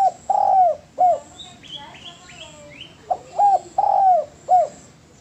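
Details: Spotted dove master recording for training: deep drawn-out coos and short hooked notes, broken mid-clip by a series of high sweeping chirps from another bird.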